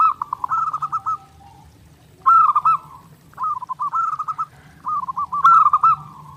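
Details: Perkutut, the zebra dove, in a clean master recording for daily practice: four phrases of fast, bubbling coo notes run together into rolling trills, with gaps of about a second between phrases and near silence behind.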